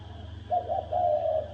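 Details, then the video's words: Spotted dove giving a fighting call in the thổ đồng style, meant to rouse males. One hoarse coo with a stuttered start and a long, slightly wavering final note. "Tiếng chim cu gáy thổ đồng kích trống kích bổi đánh nhau"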